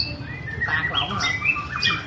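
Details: White-rumped shama song, recorded in 2017 while the bird sings and dances: short varied whistles and quick warbled notes over a constant low background drone.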